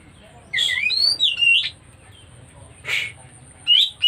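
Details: White-rumped shama in breeding condition, a few loud slurred whistles rising and falling, followed by a harsh note and a short high whistle, low hum in the background.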